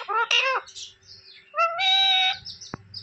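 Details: Pet rose-ringed parakeet in a home in India, taught to talk in Hindi, producing harmonic speech-like syllables and short squeaks, with a long flat mimicked word near the end and a faint steady hum underneath.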